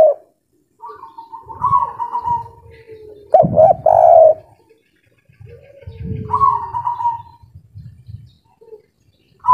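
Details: Spotted dove, a local kuk 3 bird in breeding condition, giving a short cluster of loud coos in the middle, framed by softer wavering whistles and low rumbling background noise.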